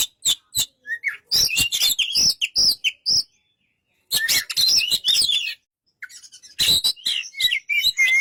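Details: Oriental magpie-robin giving bursts of sharp ticking notes and high clear whistles, separated by short silences, ending in a fast warbled phrase with rising whistles.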